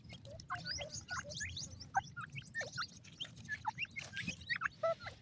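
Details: Black francolin chicks chirping, a mix of short high squeaks and lower downward-slurred peeps, irregular and overlapping, over a low background rumble.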